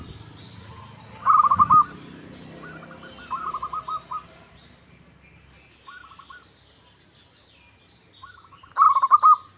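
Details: Local zebra dove used as a lure to make other doves sing and answer: short pulsed, trilling cooing phrases repeated with pauses, the loudest at the start and end, while small birds chirp high overhead.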